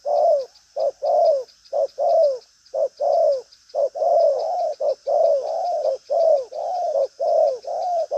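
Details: Spotted dove, 'đồng pha chân cua' type, cooing hard in a lively style with a trailing flourish. An unbroken run of mellow coos, short notes alternating with longer drawn ones roughly once a second, over a steady high hum.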